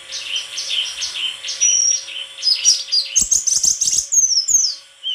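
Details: White-throated flycatcher song of high twittering notes and buzzy trills, building into a fast jumble of chips and whistles with sharp tapping sounds in the second half.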